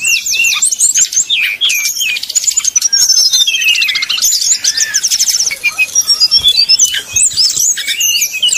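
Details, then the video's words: Brown-chested Jungle Flycatcher, flute-like bait song intended to provoke rivals. Sweeping high whistles, a long rapid trill series and scattered sharp notes follow one another, with brief dips in loudness. "srdc nyuling bikin lawan jadi panas penuh emosi"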